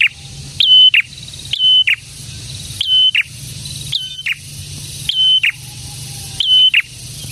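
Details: Prinia song, the bird called prenjak tamu or prenjak merah, with six repeated phrases of a rising chip, a level high whistle and a grating lower end, roughly every 1.2 seconds, over faint low rumble.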